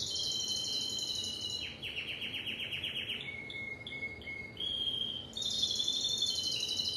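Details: Timbrado canary moving between tours: a high trill, then lower descending strokes repeated rapidly. Next come a deep flat rattle and scattered notes, before a bright fast roll returns.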